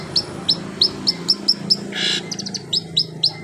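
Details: Long-tailed shrike imitating canary song, giving evenly spaced high, sharp downslurred chirps about every quarter second, broken by one brief hissing burst midway and a quick triple note.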